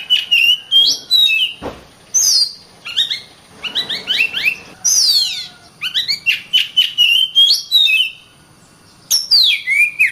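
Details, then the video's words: Caged Oriental magpie-robin trained to compete, singing varied whistles and rapid rising chirp series, with a loud thump and a rough noisy passage partway through. "BURUNG KACER GACOR RAPAT"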